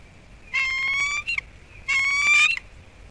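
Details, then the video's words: Wild bald eagle pair at their nest on Captiva/Sanibel Island, Florida, calling in alarm at something to the right of the nest on a December 2021 morning after an intruder. Two bursts of high, thin, harmonic chattering, each lasting under a second. "Connie Still on Alert. Her and Clive Go After Something"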